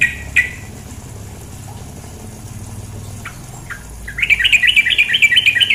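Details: Female sooty-headed bulbul calling over flowing water: a couple of sharp single notes, quiet pause, then a steady burst of fast, harsh chattering notes.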